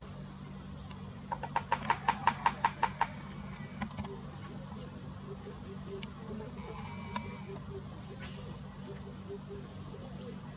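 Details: A bearded woodpecker (Chloropicus namaquus) drums loudly, a quick roll of about ten sharp knocks, then single taps, over high insect whine and low hum; River Lodge, Botswana, around 20–21 March.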